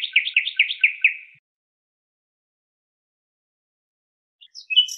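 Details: Nightingale giving a rapid trill of about eight bright repeated notes that fades out, followed by silence and a few brief high chips at the end.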